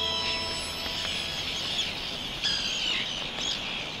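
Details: Arctic terns at a breeding beach on Northumberland's castle coast, where males bring sandeels to females as courtship offerings; high, scratchy calls rise and fall over a steady wash of colony noise, with sharper notes near 2.5 and 3.5 seconds.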